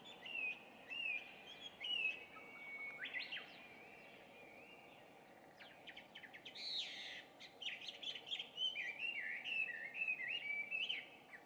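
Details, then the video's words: Chinese hwamei, an introduced species, singing loudly at about 5:30 on a June 2, 2019 morning near a home: varied, rich whistled phrases with slurred rising and falling notes and quick bursts, pausing briefly between runs. "これって何の鳥の囀り? ガビチョウ"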